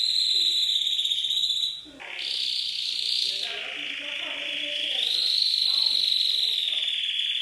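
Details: Canary from an Indonesian compilation of champion song with soothing trickling water: a piping high note, a brief pause, then long continuous rolls shifting between lower and higher pitch, ending in a clear sustained whistle.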